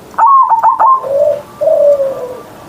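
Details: Zebra dove kept as a pet, singing its morning Ngerot-style song with a big voice: a quick burst of four stuttering notes, then two long, soft, gently falling coos.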